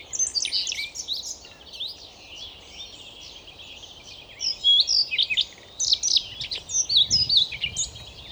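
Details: Near Novosibirsk in Siberia, a Siberian rubythroat delivers a long, run-on warble of chattering, buzzy notes and sharp whistled slurs; the tempo builds toward the end into dense repeated figures over faint low rumble.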